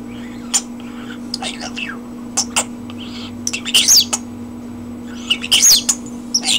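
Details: Pet common starling on a person's hand indoors, giving scattered sharp clicks, brief high whistles and buzzy rasping notes in irregular bursts, over a steady low electrical hum.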